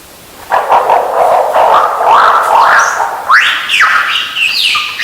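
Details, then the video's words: Lyrebird in forest, possibly mimicking a Channel-billed Cuckoo: a rough, buzzy, warbling run of mid-pitched notes, then a string of loud rising whistled upslurs about every half second. "The lyrebird at exactly 4:06 may be mimicking a Channel Billed Cuckoo"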